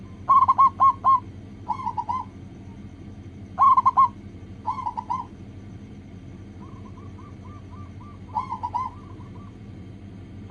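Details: Local zebra dove song played as a lure to get other doves singing quickly: clear mellow cooing phrases of several rolling notes repeat every one to two seconds, with a softer series of even notes in between, over a low hum.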